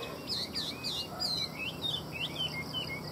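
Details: Chinese hwamei, a caged songbird sold in Vietnam, pouring out rapid, high whistled notes, sharp downward and upward sweeps strung together about once a second, with a faint hum underneath.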